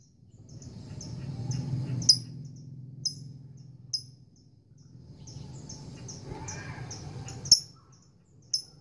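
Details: Caged female lovebird courting a male with ngekek chatter: short bursts of high, sharp chirps in quick runs, broken by loud clicks and a brief pause, with a low background hum throughout.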